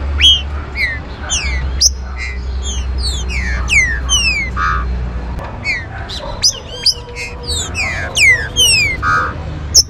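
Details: Green-winged saltator (trinca-ferro, pixarro) singing to warm up and excite other birds: dense series of bright descending whistles and overlapping slurs, rapid and varied, with occasional harsh buzzy notes and sharp clicks over a continuous low hum.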